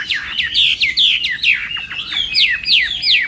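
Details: Chinese hwamei in morning song training for singing contests, delivering a fast series of sharp downward-sweeping whistled notes, each slurred steeply, repeated several times a second with clear, ringing tone.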